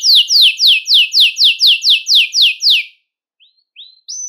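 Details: Belgian canary singing to stimulate males and bring females into breeding condition: a run of bright, downward-sweeping notes about four per second for three seconds, then a pause and a few short rising chirps.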